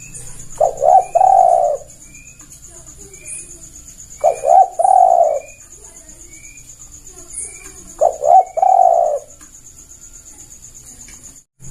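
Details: Repeated cooing of a Javan turtle dove played as a lure for catching: three phrases about every four seconds, each two quick notes and a longer coo, with faint chirps and a high steady whine.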